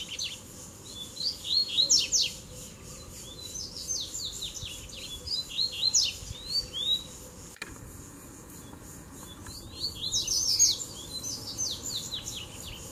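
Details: Three male Double-collared seedeaters come in together to fight in a duel. They sing fast bursts of high whistles and steep downslurred chips in three phrases, near 2, 6 and 10 seconds, with quiet gaps between.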